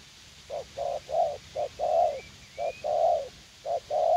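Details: Spotted dove serving as a young, fight-eager decoy bird during garden trapping in U Minh, giving a run of low mellow coos, short notes alternating with longer drawn ones, with a faint thin whistle from another bird.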